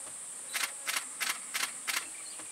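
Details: Female white-bellied redstart giving five dry, clicking tacks, about three each second, over a thin, steady high-pitched insect drone.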